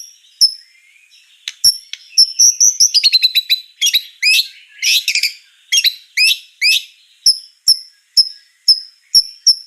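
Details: White-rumped shama singing vigorously: a few scattered clicks, then a dense cascade of sharp, rapid chattering notes, ending in a long series of clear high whistles repeated about every half second.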